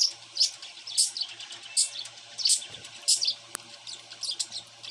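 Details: Pet cockatiel that has grown from a baby into a young bird, calling with bright, brief chirps spaced about every half second to second, over a low steady hum.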